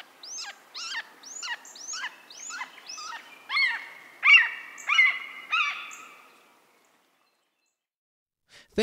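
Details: A Red-shouldered Hawk (Buteo lineatus), the actual hawk rather than a blue jay mimic, gives about ten loud, harsh, down-slurred 'kee-ah' screams, roughly two per second, growing stronger toward the end before falling silent.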